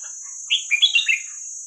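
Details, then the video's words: Red-whiskered bulbul in the song style named 'hua krok khayao khuat', played to teach young birds: a crisp phrase of five or six fluty, rolling whistled notes, sliding up and down, over an even high tone. "เสียงนกกรงหัวจุกเพลงหัวครกเขย่าขวด เปิดสอนลูกนก"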